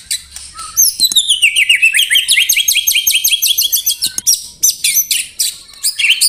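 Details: White-rumped shama singing a 'tembakan rapat' style song, used as training material for songbird contests: a fast burst of high, sharp notes that sweep down and up, repeated several times a second in dense runs, with short pauses between volleys.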